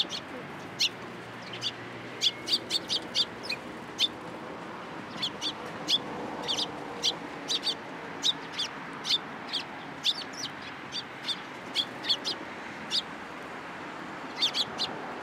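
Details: Sparrows at a Tenmangu shrine on 13 April 2023, coming onto a person's hand for food. Dozens of sharp, high chirps run throughout, sometimes in quick runs of two to four and sometimes spaced about a second apart, over quiet background noise.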